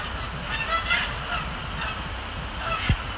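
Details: Canada geese calling at night above Sapsucker Woods Pond at the Cornell Lab of Ornithology, during fly overs and splash downs; a cluster of honks early on, quieter honks later, low hum and a click near the end.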